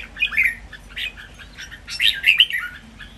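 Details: Caged red-whiskered bulbuls, three competing, in a lively model training song with counted phrases: two bursts of bubbly, warbling notes near one second and two seconds, rising and falling quickly, with quiet gaps between.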